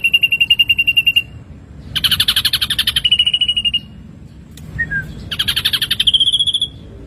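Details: Ashy drongo song for training songbirds: short rapid trills of high pulses alternate with broad buzzy rattles, with a brief soft whistled note in a gap between phrases.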